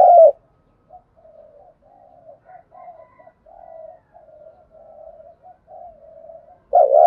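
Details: Spotted dove lure cooing used to stir and train newly caught doves: a loud, low hoarse coo at the start and end, with a run of soft, muffled cooing notes between them in an otherwise quiet setting.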